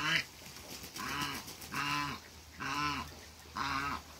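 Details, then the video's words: An African goose pair at a farm, brought together to meet: five rhythmic, hoarse honks, each about half a second long, arriving roughly every second with a steady, nasal, slightly arched tone. "TRYING MEETING AFRICAN GEESE COUPLE"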